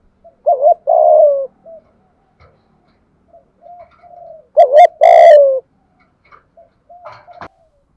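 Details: Spotted dove in 'thúc gù' calling: two loud phrases of a quick hoot and long falling coo with soft murmurs between, plus a brief sharp buzzy chirp and a click near the end.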